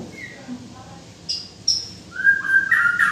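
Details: White-rumped shama giving soft faint notes, then sharp high chips and a louder whistled phrase at the end over a murmuring background.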